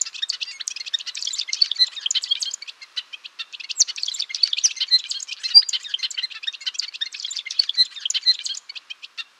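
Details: Gaturamo-rei, the golden-rumped euphonia, sings a long continuous stream of fast, scratchy twitters and chips, dense and high-pitched, with a brief pause near the middle and an otherwise quiet background.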